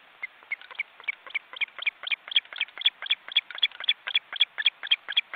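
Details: Osprey nest in an Estonian forest reserve, seen on a webcam. Two adults share it with chicks that are almost grown and are afraid to leave with their parents. Insistent high chirps repeat about four times a second, growing louder.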